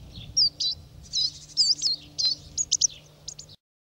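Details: Great tit in France giving a rapid series of high, thin chirps and twittering notes, some run together in quick bursts, over a faint low hum.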